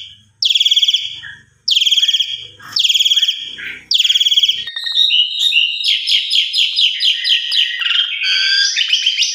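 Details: Jalak suren (Asian pied starling) lure for stressed or non-singing starlings: four loud, rasping pulsed buzzes a second or so apart, then a fast chattering, jangling song of mixed whistles and rattles.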